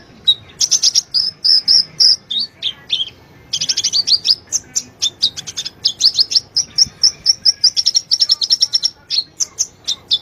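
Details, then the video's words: Olive-backed sunbird master song for teaching caged birds: a dense, rapid run of high, thin chirps and twittering notes, nearly continuous with short pauses, in a quiet background. "Suara burung konin Kolibri ninja gacor masteran burung konin"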